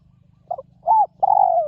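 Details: Wild spotted dove, praised for a fine, very resonant voice, cooing once: two soft, quick low notes, then a smooth held coo and a longer coo that falls slightly at the end, over a quiet background.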